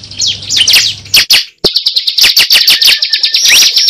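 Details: Cible bird used as a lure: squeaky high whistles and chirps, a sudden brief silence, then a run of quick, high, clipped notes ending in a rising whistle, over a faint low hum.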